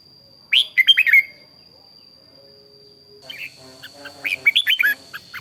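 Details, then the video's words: Red-whiskered bulbul (chào mào) morning song, bird in voice training: one quick warbled phrase of bright slurred notes, then after a pause a denser run of chirps over a steady high electronic whine. "luyện giọng chào mào hót buổi sáng"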